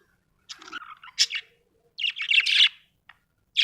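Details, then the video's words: A contented budgie twitters in high, slightly buzzy chirps and a rolling warbled phrase, with short pauses between bursts. "happy budgie chirping sound"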